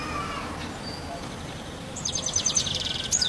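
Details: European goldfinch on the roof of a house: after a quiet start, a quick burst of high, thin, tinkling twitters and buzzy notes fills the second half, over steady low background hum.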